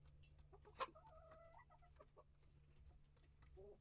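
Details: Mixed backyard flock of hens and young chicks (Rhode Island Red, Barred Plymouth Rock, Light Brahma, Ameraucana, Olive Egger, Maran, Leghorn) inside a coop and run; a few soft harmonic clucks and short calls over steady low hum, with one sharp knock.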